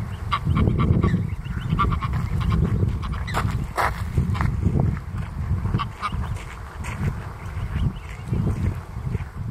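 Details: Canada goose x greylag goose hybrid near lake Mälaren, Greater Stockholm, Sweden, summer 2020; four hybrid goslings are being raised. Repeated short harmonic honks sound through the clip over strong low wind rumble.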